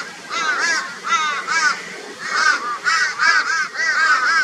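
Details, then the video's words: Crows reacting to a barn owl's presence in Brisbane, Australia, on 22 February 2022; harsh, drawn-out arched caws come in irregular groups of two or three, several birds overlapping, loud throughout. "Crow Reacts to Barn Owl with High Volume Raucous Noise"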